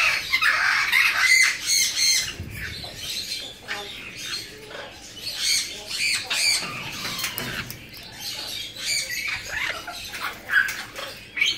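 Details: Captive, hand-reared blue-winged macaws, a young female and male born in 2017, give a fast run of grating squawks. Short rasping notes repeat almost continuously, with a faint flutter of wings among them.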